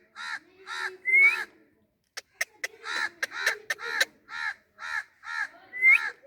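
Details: Parrot repeating rough, buzzy squawks about twice a second, broken by a run of sharp clicks, with one rising whistled note near the start and another at the end.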